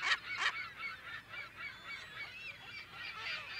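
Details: California gulls calling in a colony, mono recording of unknown date: two loud harsh calls open, then a steady overlapping chorus of nasal squealing calls from many birds further off.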